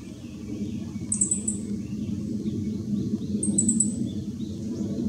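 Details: Meadow bunting singing from backlit shade, recorded 2 July 2016: two brief high trilled phrases of a few quick notes each, about two seconds apart, over steady low rumbling background noise.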